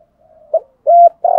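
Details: Decoy spotted dove cooing in the thúc gù style with a thổ voice: short, low, hollow coo notes in quick succession, the last one longer and steady, on a quiet background.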